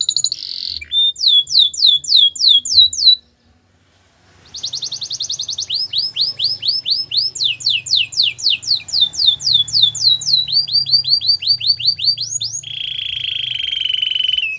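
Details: A Gloster canary sings a long varied song: repeated downward-sweeping whistles, a brief pause, fast pulsed trills, more sweeping notes, and a closing steady trill.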